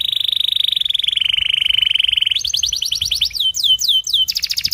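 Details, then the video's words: Singing canary from a training recording for young birds: a long steady rolling trill, then a higher rapid trill and a run of swooping downward whistles. "MASTERAN KENARI 30 MENIT DURASI PANJANG"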